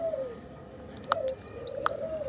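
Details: Newly hatched pigeon chicks of the Nabta type in a pigeon house: thin descending squeaky whistles, a few in quick succession, with two sharp clicks and soft background noise.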